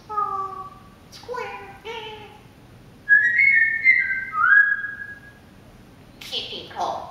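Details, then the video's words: Pet parrot indoors during morning chatter, whistling the SpongeBob song: short clear whistled notes rich in overtones, then a higher drawn-out sliding phrase, ending with a brief harsh squawk. "Parrot Singing Spongebob Song"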